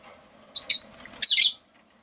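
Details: Rosy-faced lovebirds, five caged birds kept by a window, chirping: two harsh, high, scratchy squawking bursts close together, with faint room and street background.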